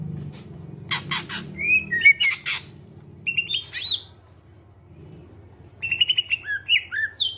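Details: Greater green leafbird song, a clear-voiced recording used as a lure to get other birds singing: clipped harsh chatter notes, then slurred whistles and buzzy rising phrases, a pause, then quick descending whistled notes, over a steady low hum.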